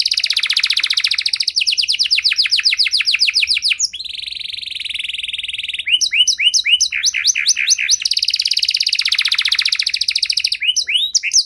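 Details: Long-duration canary song with special phrasing, played to draw silent canaries into singing again. Dense rolling trills alternate with a steady buzzy roll, crisp upswept notes and further fast trills, all high and clear.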